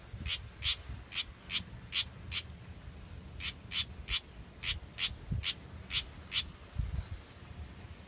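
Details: A young house wren (Troglodytes aedon), a fledgling born in a backyard with a still-short tail, gives raspy, high chips about three per second in two runs of seven or eight notes. Low rumble and handling noise sit underneath.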